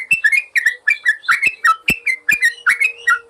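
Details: Yellow-vented bulbul singing for a master recording meant to train caged birds: steady, lively stream of short liquid whistles and chirps, about one phrase every second, with sharp clicks between notes.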